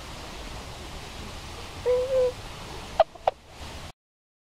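Tundra swan giving a soft, mellow hoot, then two short, higher yelping notes in quick succession, over a steady rushing hiss like wind or water.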